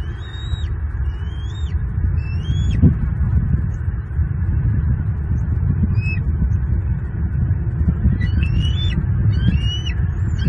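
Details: Bald eagles at a nest in Southwest Florida on a morning in May 2023, an adult male having delivered a large whole fish to the young eagle, picked up by a live nest camera. High thin whistled notes rising then dropping sharply, repeated in a series and run together in quick chatters at the end, over a heavy low rumble of wind.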